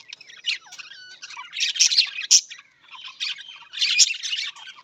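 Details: Budgerigar chatter: dense, high, rasping warbles and squeaks in uneven bursts, with brief quiet gaps.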